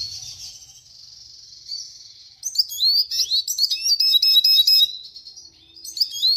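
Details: Red siskin opens with a sustained buzzy trill, then breaks into rapid, high chattering twitters and sharp slurred notes.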